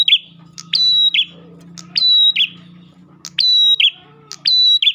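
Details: Ash tailorbird song meant to lure other tailorbirds: four phrases of a click, a ringing steady whistle and a buzzy drop, about one per second, over a constant low mechanical hum.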